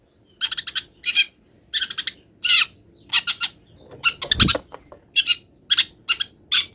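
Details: Long-tailed shrike mid-molt singing with imitated wild-bird phrases: grouped harsh, scratchy bursts in pairs and triplets, with a soft flutter of wings partway through.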